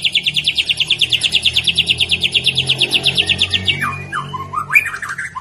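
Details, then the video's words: Juvenile spotted-plumaged white-rumped shama delivering a cerucuk-style mimicry fill: a rapid string of about three identical sharp notes per second for nearly four seconds, then varied slurred whistled phrases, over a low background rumble. "Murai batu trotol tembak isian cerucuk bikin emosi ribut"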